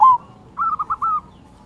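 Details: Zebra dove (perkutut lokal) song used to prompt quiet doves into singing: one drawn-out coo, a short gap, then four quick rolling coo notes, clear and mellow over a quiet background.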